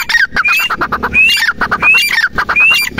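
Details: A teetar, the grey francolin, gives loud repeated phrases. Each is a quick upslurred whistle followed by a dense burst of rough chattering notes, about four phrases in three seconds.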